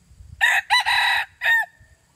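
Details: Junglefowl crowing: a loud, hoarse four-part crow with a short first note, a longer drawn-out middle and a clipped final note that trails off, over a quiet background.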